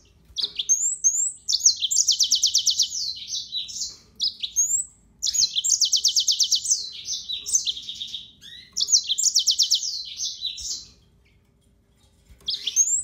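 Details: Yellow-fronted canary delivering three similar song phrases, each opening with quick upslurred whistles, then a rapid rattling trill of evenly repeated high notes, then a falling flourish, with pauses between phrases.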